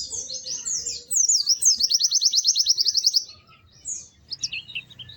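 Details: High, sweet white-eye song: tumbling whistled notes leading into a fast, regular trill of repeated sharp notes, then a pause and a few short chirps.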